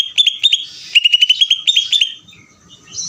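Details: Greater green leafbird singing an energetic ngeder-style song: rapid series of bright, repeated chirped notes around a steady high pitch, delivered in quick bursts over two seconds, then a quiet close with faint low background noise.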